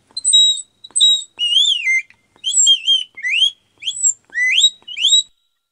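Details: Eurasian bullfinch calling in a clean recording: about nine clear whistled notes with short gaps. The first ones are flat and steady, and the later ones swoop, dip and rise sharply. No other sounds are heard.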